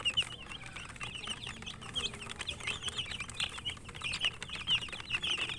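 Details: Many chicken chicks peep constantly as they eat. Thin, high cheeps run together without pause, over scattered tapping sounds of feeding.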